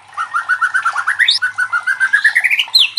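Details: White-rumped shama lure song for stirring other shamas to sing: a fast steady string of short warbled notes that climbs in pitch twice, ending in a high whistle.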